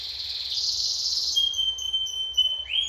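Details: Canary from Lampung giving a short phrase: a dense buzzy trill that gives way to a thin, steady high whistle, ending in a quick rising note.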